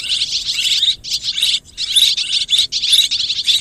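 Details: Chorus of swiftlets calling together, producing harsh, high chirps packed into fast repeated bursts, about two each second, with a brief quiet break midway.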